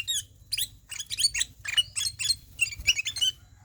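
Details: Kutilang emas (sooty-headed bulbul) in ngelowo song: a lively run of short, bright, slurred chirps, some sliding downward, grouped into rapid phrases separated by brief pauses, clear against a quiet low hum.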